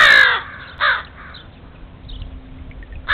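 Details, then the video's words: Backyard crows reacting to an unwelcome stray cat, giving a loud harsh caw at the start, a shorter rasping caw after it and another beginning at the close, with quiet gaps between. "A very unwelcome guest...a stray cat...but it sounds like the crows are onto him!"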